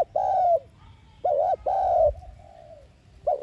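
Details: Spotted dove giving its lure coo to stir other doves: a long mellow coo, then a paired arched note and a drawn-out falling one, fading into a soft tail.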